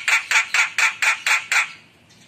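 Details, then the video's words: Javan myna giving seven harsh, grating squawks in quick, even succession, about four per second, then falling silent. "Suara Jalak Kebo Gacor Penuh Isian Mewah"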